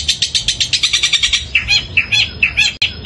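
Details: Loud mimicking song of a long-tailed shrike copying sparrow calls: about a dozen rapid harsh chirps in steady rhythm, followed by varied scratchy twittering notes, all high-pitched and forceful.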